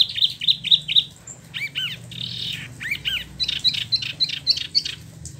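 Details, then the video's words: Spot-throated babbler, a caged bird imported from mainland China and Vietnam, kept in Bandung, West Java, Indonesia, with freshly finished plumage; repeated rapid whistled notes near 4k, with slurred rising and falling phrases in the middle. "Wambi Mini / Tieu Mi (Pellorneum albiventre) ngeroll"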